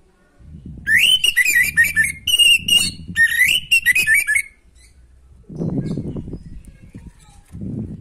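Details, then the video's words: Orange-headed thrush song played to stimulate a caged bird lacking breeding drive: a run of loud whistled phrases with rich overtones around the middle, then a pause and low rumbling background noise. "Anis macet kurang birahi auto respon pakai suara video ini"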